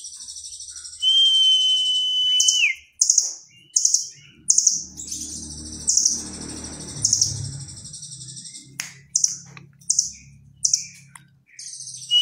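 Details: Velvet-fronted nuthatch singing busily with a fill-in likened to the cililin. A steady whistle opens, then sharp, rich chirp bursts come about every half second over faint low background rumble.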